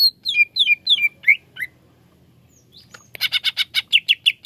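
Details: Song of a greater green leafbird, aimed at a bird that sings little: falling whistled slurs, a short pause, then rapid loud harsh repeated notes.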